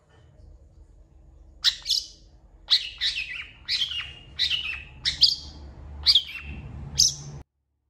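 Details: Long-tailed shrike song used as a training recording for other songbirds, with cat- and chicken-like mimicry in its repertoire: seven separate harsh, high chattering bursts spaced about one second apart, each dropping slightly in pitch, over a low steady hum.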